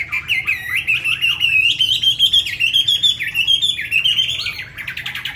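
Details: A tame Chinese hwamei kept in a cage in Hanoi, Vietnam, pours out a loud, fast, unbroken stream of ringing whistles and trills, its notes sliding and wavering, in a quiet indoor setting.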